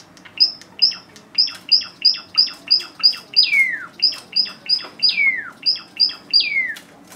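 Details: Java sparrow stretching: sharp, high chip notes repeated about three times a second, several stretched into longer downward-sliding whistles, over a faint low background hum.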